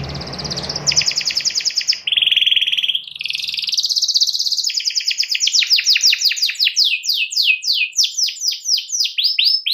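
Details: Canary singing actively to provoke a rival into singing too; fast buzzy trills switch between high rattling phrases and lower steady rolls, ending in a run of rapid rising-falling sweeps, with faint low noise at the start.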